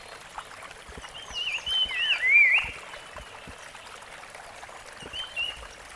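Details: Rusty-fronted barwing calling in the wild: a swooping, warbled whistled phrase with rising and falling slurs, then a brief faint note later, over a steady backdrop of flowing water.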